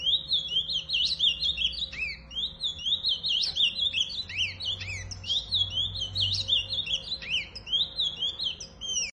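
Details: Ultramarine grosbeak (azulão) singing a continuous run of rapid, high, sweeping whistled notes that rise and fall in repeated phrases, with a steady low hum beneath.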